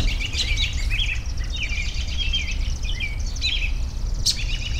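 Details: Scattered high chirps and whistled slurs from birds, partly masked by steady low environmental noise, with a sharp click near the end.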